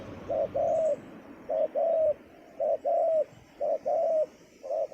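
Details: Spotted dove decoy with a strong voice, set on bare ground to attract wild doves: four even cycles of a brief coo and a longer, gently falling coo, spaced about one second apart.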